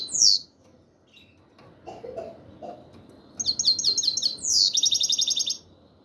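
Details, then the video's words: A black-headed European goldfinch voices its 'chir chir' call: one high chirp, some faint scattered notes, then a rapid series of bright chirps ending in a buzzy, trilled run. "Щегол чир чир"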